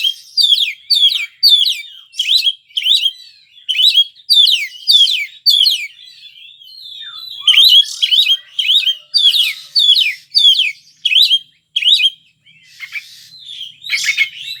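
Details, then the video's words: Lively song of an Oriental magpie-robin: a long run of bright, high, whistled phrases with quick up-and-down slurs, repeated regularly about twice a second, with a short break midway and a scratchy passage near the end. "Suara Kacer Seperti ini yg Banyak Dicari Kicau Mania Indonesia"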